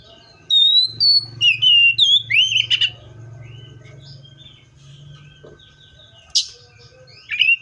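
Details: A Seychelles magpie-robin sings one fast series of bright, slurred whistles, then falls mostly quiet apart from two brief sharp notes, over a noticeable low hum.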